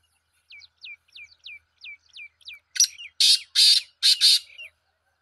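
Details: Black francolin call: a run of seven thin descending whistled notes at a steady pace, then a group of four loud harsh rasping bursts in paired rhythm.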